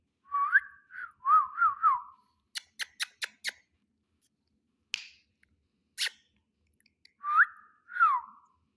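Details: A talking pet ring-necked parakeet gives clusters of short whistled syllables that swoop up and down, separated by a rapid series of dry clicks and a couple of sharp noises indoors.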